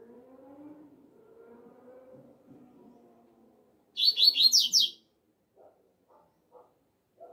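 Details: Double-collared seedeater singing outdoors in the 'alegria tuí tuí zeo zeo' song style: a quick burst of about six loud, high, sharp whistled notes lasting roughly a second, after low murmuring background sounds and a few soft knocks.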